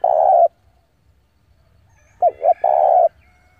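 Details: Spotted dove used as a decoy to provoke rival doves into fighting: a sustained low coo, a pause, then a stuttered pair of short notes leading into another long, steady coo.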